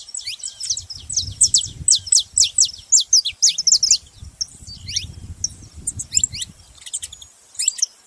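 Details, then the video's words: Canário da terra, the Saffron finch, giving quick series of bright, high, slurred chirps in two main bursts separated by a short lull, with soft low background rumble. "Canário da terra fazendo barulho"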